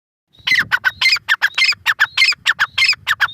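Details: Grey francolin calling: a loud, harsh, rhythmic series of clipped notes, each phrase led by a thin high whistle, repeating almost twice a second after a brief silent start.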